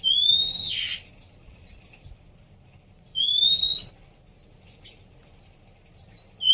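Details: Female Oriental magpie-robin, offered as therapy for a bird that has stopped singing, gives two high, thin whistles, each rising slightly and lasting under a second, about three seconds apart, the first ending in a brief harsh burst; a quiet low hum underneath.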